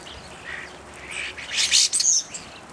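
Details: Evening grosbeak calling: a few short burry notes, then a louder cluster of bright, high, clipped chirps packed together in the second half, over a quiet background.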